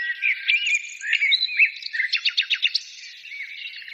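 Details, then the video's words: Birds chorus with looping whistles and chirps, then a quick rattling series of sharp repeated notes midway, fading into softer, steady twittering. "birds singing"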